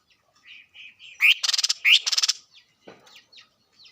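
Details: Bird singing: soft whistled notes, then two loud bursts of rapid buzzy trilled pulses, each led by a rising slurred note, followed by scattered faint chirps.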